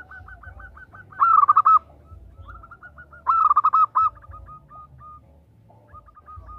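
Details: Two short, loud bursts of rapid cooing from a female zebra dove calling a male, each lasting under a second, amid softer, fainter repeated notes in the background.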